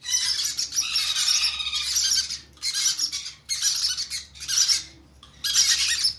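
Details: Conure chicks begging during hand feeding: harsh, raspy, noisy squawking in long bursts separated by short pauses.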